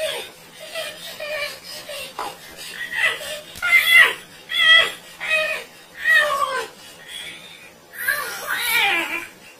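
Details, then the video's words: A parrot gives a string of wailing, whimpering cries much like a crying baby, about one each second, rising and falling in pitch. "Funny Parrot Make Strange Sound"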